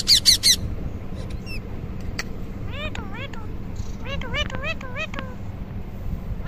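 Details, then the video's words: Indian ringneck parakeet calling: rapid short chattering notes, then a run of quick rising-and-falling nasal squawks in bursts, over a constant low background hum. "Ringneck Parrot Videos Compilation"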